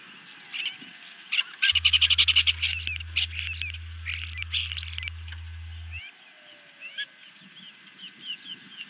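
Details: Osprey at a nest cam during an evening feeding on 18 June 2020, an adult bringing a big dinner to two young: a rapid burst of sharp, high chirped notes, then slower scattered chirps, over a steady low electrical hum.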